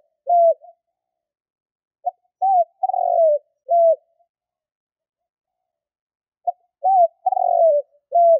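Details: Spotted dove call used as a hunting lure, giving repeated low phrases: a clipped opening note, an arched coo, a long burring roll and a closing coo. Two full phrases plus the start of a third, in clean silence.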